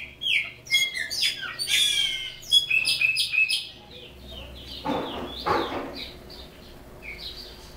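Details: A caged chopi blackbird from Brazil pours out criôlo song, with dense bright whistles and sliding notes in quick succession, then two broad harsh bursts and softer trailing whistles.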